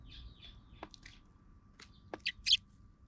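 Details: Sparrows fighting at a park just after its relocation: a few scattered short chirps, then a quick burst of loud, harsh chirps near the end, with clicks and a steady faint tone behind.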